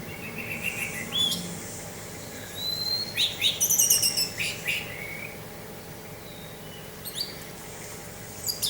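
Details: Orange-headed thrush in 'teler' song, with wind sound: high whistled phrases, clipped notes and rapid buzzy bursts come in uneven clusters, loudest midway, above a constant low rumble.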